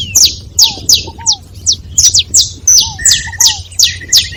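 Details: Several saffron finches calling together: sharp, high, downward-slurred chirps repeated in quick irregular bursts, with softer lower arched notes between them.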